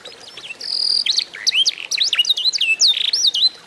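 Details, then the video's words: An 8-month-old F1 canary trained on a master song sings a fast, varied run of high whistled and slurred notes, opening with a steady buzzy trill and then a quick jumble of rising and falling phrases. "HASIL MEMASTER BURUNG KENARI"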